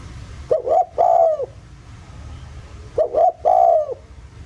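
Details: Spotted dove used as a calling lure, 'giọng thổ' style: two identical phrases about two and a half seconds apart, each a quick double note and a longer sustained coo that drops at the end.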